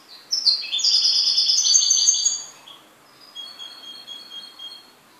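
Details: Pet goldfinch singing: a loud burst of high, rapid twittering and chirped notes lasting about two seconds, then a softer, thinner run of repeated high notes, with a quiet background.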